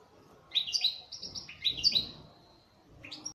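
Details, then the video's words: Kept local Algerian European goldfinch, 'sector' type, giving twittering song: bright, high, tinkling notes in quick clusters, a short pause, then a few more chirps, over a soft low background hum. "تغريد حسون محلي جزائري ( تاع سيكتور )"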